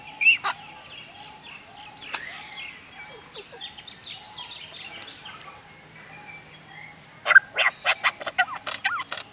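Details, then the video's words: Australian lyrebird mimicking sounds: a jumble of thin whistles, downward sweeps and faint twitters, then a burst of loud sharp clicking notes near the end, with a steady low hum underneath. "Птица издаёт звуки лазерной пушки"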